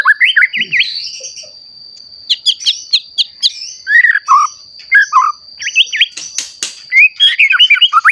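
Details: Frequent-singing white-rumped shama, freshly moulted, used to provoke other shamas into full song: varied phrases of clear slurred whistles, sharp clipped notes and quick downward flourishes, with a continuous thin high tone behind.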